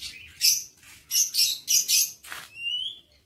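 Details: Lovebirds in an aviary recorded on 22 August 2023: a series of loud, shrill, high chirps in quick succession, one harsher squawk, then a thin rising whistle trailing off at the end.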